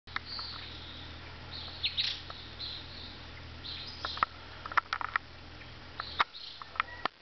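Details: Gray kingbird, known locally as pitirre, giving short sharp chirps and brief high buzzy notes scattered through the recording, with several clicks and a steady low background hum.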